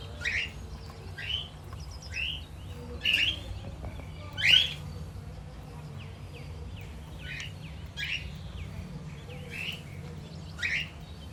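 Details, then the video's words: Lutino cockatiel, kept alongside budgies and lovebirds, giving bright rising chirps, roughly one per second and somewhat irregular, several louder than the rest, over a low steady hum. "Lutino cockatiel Chirping Sounds"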